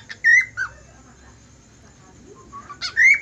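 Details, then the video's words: Budgerigar whistles: a clear sustained note and a lower falling one, a pause with faint soft tones, then a sharp click leading into a final rising whistle. "suara parkit australi bersiul"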